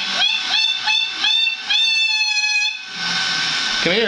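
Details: Pet yellow-faced amazon parrot indoors, singing to annoy a cockatoo: a run of short, clear whistled notes with strong harmonics, about five in quick succession, then a long steady held whistle, followed by a hissing screechy noise and a brief sliding call.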